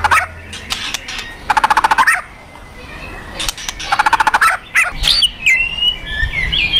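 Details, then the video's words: Fighter white-rumped shama kretekan: repeated bursts of fast, machine-gun-like clicking rattles, several in a row, followed by higher slurred whistles toward the end. "Kretekan Dan Tembakan Murai Fighter Pancingan Emosi Murai Paling Efektif"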